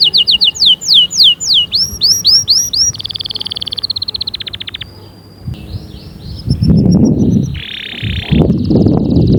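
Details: Powerful canary song used as singing encouragement: bouncing falling whistles and rolling trills at first, then quieter pulses, broken later by loud rough noise bursts.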